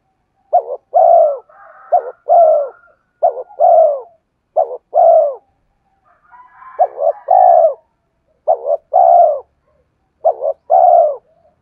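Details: Cooing of a spotted dove meant to lure wild birds. About nine low phrases come in an uneven stream, each a short two-part note leading into a fuller falling coo. Faint, higher murmurs sit between some phrases.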